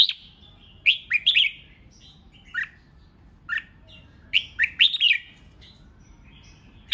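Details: Red-whiskered bulbul giving the 'hót ché' competitive song meant to provoke rival birds. Quick clusters of liquid, slurred notes, some doubled and some tripled, alternate with lone chirps across seven seconds against faint low noise.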